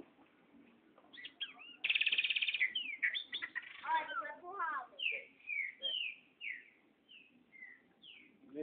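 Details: A loose, free-flying pet Chopi blackbird, being called back by its owner, sings a harsh buzzy burst, then a run of clear, liquid whistles sliding down, roughly two a second; a person speaks quietly in the background.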